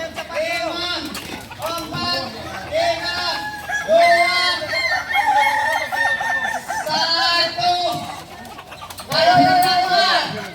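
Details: Singing chickens of the Kukuak Balenggek breed, native to Solok, at crowing performance training; loud, rich crows come in bursts about every two seconds, each a rapid train of stepped, ringing syllables, with other roosters and voices faintly behind.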